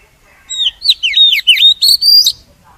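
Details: Oriental magpie-robin song played as a lure to trap birds and spur singing; a brief soft note precedes a run of loud, dipping whistled phrases finishing with a long high rising whistle.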